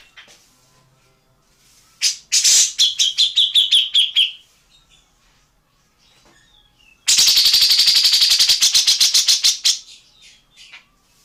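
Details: Tengkek buto or cucak jenggot song from an Indonesian training recording: two loud bursts of rapid, harsh, chattering notes, the first sliding into a descending buzzy trill, the second a dense rattling run lasting about three seconds, with quiet gaps between.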